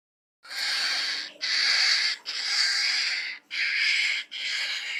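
A falcon gives five rasping, hissing screeches, each about a second long with brief gaps, harsh and breathy enough to recall a squealing pig.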